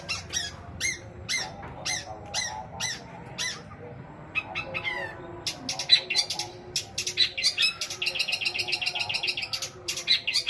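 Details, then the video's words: Long-tailed shrike with extended borrowed 'isian' phrases in greja petir and kuntilanak style, a lure for non-singing shrikes. Evenly spaced high chirps give way to a dense, rapid, rattling stream of notes. "CENDET ISIAN GREJA PETIR KUNTILANAK COCOK BUAT PANCINGAN CENDET MACET BUNYI"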